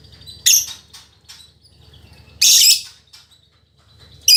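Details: Female fighter lovebird recorded as tutor audio: three harsh, shrill bursts separated by about two seconds of near silence, with a faint low hum underneath.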